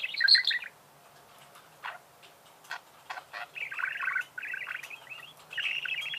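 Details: A budgerigar gives a loud buzzy burst, then soft clicks and ticks, followed by longer scratchy warbling phrases.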